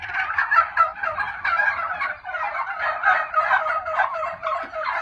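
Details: Group of Royal Palm turkeys producing steady overlapping gobbles, a thick burbling rattle that swells and fades in waves with no pauses.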